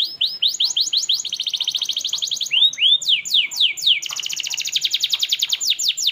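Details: Canary in full song, used as a master recording for young canaries: long, fast rolling trills of repeated high sweeping notes, broken by a few lower swooping slurs, nearly continuous throughout.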